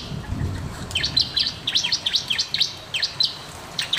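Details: Bar-winged prinia singing briskly, recorded as a master track to prompt reluctant birds to sing: sharp, high chirps with quick downward slurs, delivered in rapid, fairly even sequence over a quiet background.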